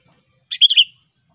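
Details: Natural-setting sooty-headed bulbul giving its sharp rival-calling song: a single quick phrase of three liquid, slightly descending whistled notes, crisp and isolated against silence.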